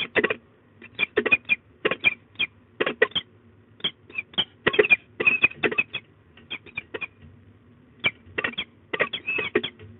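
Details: Scolding peregrine falcons at De Mortel, Netherlands, 15 March 2022, 13:40, a long alarm bout joined by the male: grating kek-kek-kek series in quick bursts, broken by brief pauses, with harsh repeated notes throughout.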